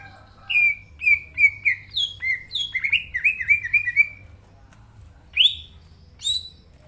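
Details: Green leafbird (cucak ijo) singing energetically in its natural voice: a run of clear whistled, slurred notes, several falling in pitch, about a dozen in four seconds, then a pause and two sharp rising notes.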